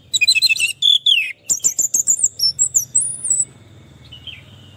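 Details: Orange-headed thrush singing in therapy audio for a stressed, silent bird: quick high twittering notes, then a downslurred whistle, a fast run of clipped chirps and thin, high warbled phrases before fading out.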